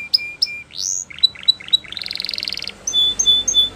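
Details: Russian singer canary in a training song: clear high whistles and sharp chips, a rising sweep, a quick buzzy roll, then repeated pure whistled notes, each phrase short and varied.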